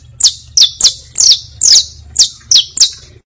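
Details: Young-bird teaching song of the saffron finch: emphatic high chirps with downward slides, a few stretched into longer slurred notes, about eight notes in quick succession.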